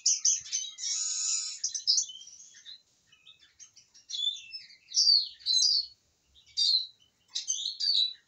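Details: A contented Eurasian siskin, well fed, sings a long drawn-out wheezy buzzing note, then a scattered series of quick high chirps and short twittering bursts separated by brief silences.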